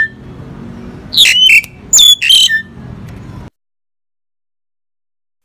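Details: Crested myna uttering three or four clipped, raspy squawks with sliding whistled tones in quick succession, then a low hum and a long silence.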